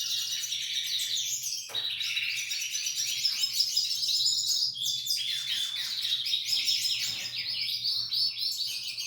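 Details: Female Belgian canary in song, delivering a fast, unbroken stream of high twittering trills and chattered phrases, with a few sharp clicking notes and a steady low background hum.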